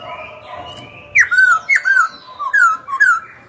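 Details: Singing Black-throated laughingthrush, a young cage bird, used to incite rivals to fight and tutor young birds. Five or six loud whistled phrases, each dropping sharply then levelling off, follow a soft introduction.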